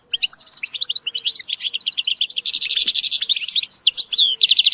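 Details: Group of European goldfinches calling together, a recording meant to motivate birds: dense, rapid tinkling twitters and liquid chirps overlapping continuously, with brighter buzzy bursts in the second half.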